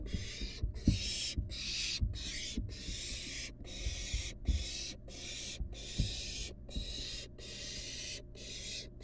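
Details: Nestling barn owl super excited at feeding time: a steady series of rasping hissed screeches, each about half a second long with brief pauses, over low thumps and shuffling.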